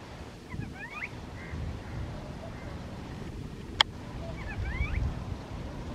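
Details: Tristram's starling at Eilat, Israel, in December 2022, giving two short bursts of fluting, rising whistles a few seconds apart, over steady low wind rumble and one sharp click.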